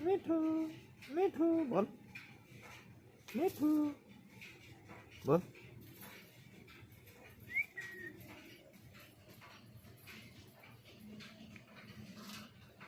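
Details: A talking parrot speaks a few short, speech-like phrases in the first four seconds, then gives one sharp squawk near five seconds and a brief rising chirp. Quiet room tone follows.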